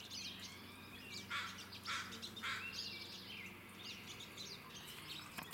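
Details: Pine siskins on Vancouver Island, Canada, twitter in a busy, high chatter of overlapping chirps and a few harsher buzzy bursts, over a steady low mechanical hum.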